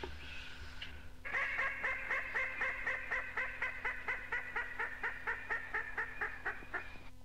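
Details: Red-necked rail recorded in North Queensland tropical rainforest, from an old cassette of rainforest bird calls: a loud, harsh note repeated about twice a second in a steady series, with an announcer's voice just before.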